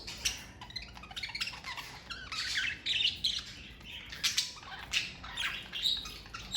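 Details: Pet parakeet family chattering steadily, a dense run of scratchy chirps and rapid buzzy squawks that rise and fall in loudness, several bursts each second.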